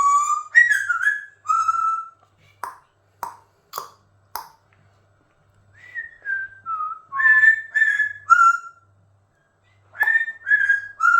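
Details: Pet Amazon parrot, said to like going a little wild, producing bursts of clear whistled notes around a mid pitch, broken by sharp clicks and pauses, then more rising and falling whistles, indoors.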